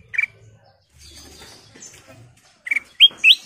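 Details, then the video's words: A single burry note from a Sooty-headed bulbul, then a pause with soft rustling, then a burst of three rising whistled notes in quick succession. "Suara Paling Cakap Burung Kutilang Emas full isian"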